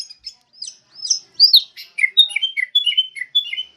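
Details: Sooty-headed bulbul used as a lure and tutor recording for training songbirds. Quick high chirps and short downslurred whistles come in a rapid, uneven series, growing louder and denser toward the middle, with no other sounds.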